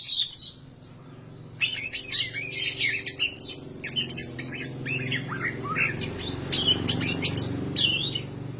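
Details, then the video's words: Greater green leafbird song as a lure for other singing birds: quick high chirps and whistled slurs in rapid bursts, over a steady low droning hum. "PANCINGAN SUARA BURUNG CAK IJO BAHAN AGAR CEPAT GACOR"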